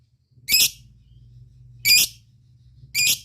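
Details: Lovebird calling to companions in the ngetik and ngekek style: three separate harsh, shrill bursts, each about a fifth of a second long, spaced more than a second apart over a faint low hum.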